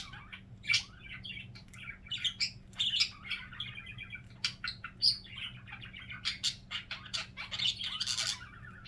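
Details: Chattering pet budgie giving its signature sound, a dense run of quick scratchy chirps, clicks and brief bright tweets without pause, over a faint constant low hum.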